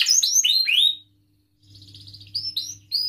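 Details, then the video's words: Canary singing a long chattering song used to prompt young canaries to learn and sing: a run of loud, high, downward-sweeping chirps, a short pause, then quieter rapid twittering and sharp high notes, with a low steady hum beneath. "kenari gacor panjang Cuit Cuit EMOSI, Pancingan Kenari Paud Belajar Bunyi"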